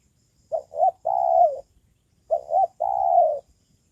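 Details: A decoy spotted dove used for luring wild birds, calling regularly: two clear coos followed by a drawn-out, slightly falling coo, the three-part phrase given twice, quiet background.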